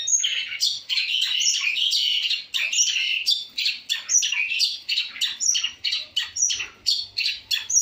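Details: A long-tailed shrike's varied song, here dominated by harsh, squawky, scratchy notes packed closely together with occasional high whistled accents, steady and loud throughout.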